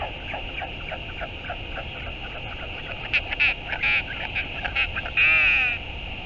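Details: A northern royal albatross recorded on 11 March 2022 gives harsh, nasal, quavering calls in short bursts, ending in a longer drawn-out wail, over steady wind noise.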